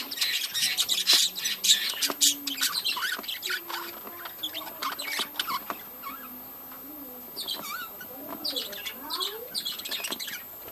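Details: Budgerigars in a breeding colony chatter busily at first, then more sparsely: scratchy chirps, squeaks and wavering warbled notes from several birds, with light tapping sounds.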